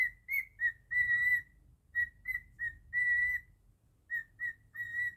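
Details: Pure whistles from a pet cockatiel singing Jingle Bells: short chirpy notes and longer drawn-out tones in tune-like phrasing, separated by brief pauses. A soft low hum sits underneath.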